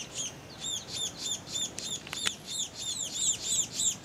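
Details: Two young Scaly-breasted Munias (Lonchura punctulata particeps) at Tangkoko, Sulawesi, Indonesia, on 22 Aug 2014 beg for food as they fly back into the nest, giving thin, high, down-slurred begging calls, about three or four a second, overlapping in a steady stream.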